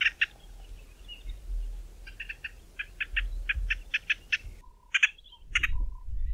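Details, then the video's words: White-fronted bee-eater calls as a rapid series of short nasal notes, clustered in twos and threes, over a low rumble of background noise. "White-fronted Bee-eater calls - at least 4 variations of their calls"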